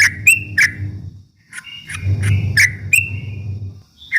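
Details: Yellow-vented bulbul (trucuk ropel) provoking rivals with scattered bright chirps and short whistled slurs over a steady low rumbling hum.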